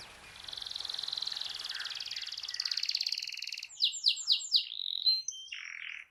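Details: Canary singing to prompt a quiet canary to join in: a sustained rolling trill swells and fades, followed by four quick downward-sweeping notes and a short warbled phrase.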